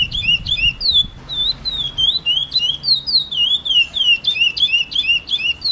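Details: A chestnut-bellied seed finch (curió) singing in nature: clear, loud whistled song of swooping and slurred notes, repeated in quick succession about three times a second, with faint low rumble at the start.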